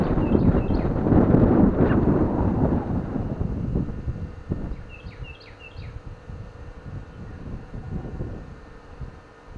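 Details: American robin giving short chirps on a windy day: two quick clusters of high, sharp, downslurred notes, three or four in each, over heavy gusting wind that eases partway through.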